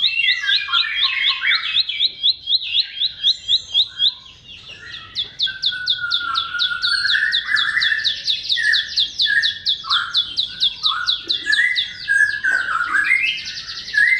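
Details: Bar-winged prinia song fillers, played as a lure to spur mute, stalled or sluggish birds: a fast run of high, sharp repeated chirps, then a long rapid rattle of ticking notes over lower warbled phrases.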